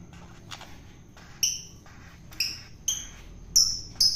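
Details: Long-tailed shrike taken from the wild and fed by hand for taming; a series of short, scratchy, high squawks, roughly five in four seconds, growing louder toward the end, with faint clicks between.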